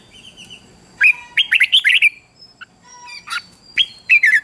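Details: Red-whiskered bulbul song used to train young birds: soft trilled notes, then a loud rapid phrase of slurred whistles, a quiet pause, then more bright whistled notes.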